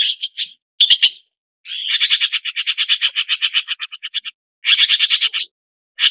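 Red-billed blue magpie giving harsh, rasping chatters in quick rattling bursts of about ten notes a second, broken by short pauses, with no other sounds.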